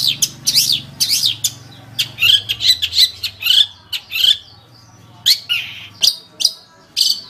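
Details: Long-tailed shrike in full, energetic song, recorded as a tutor track for training caged songbirds: harsh, scratchy chevron-shaped notes come in rapid bursts, then a looser series of sharp chips and rasping phrases.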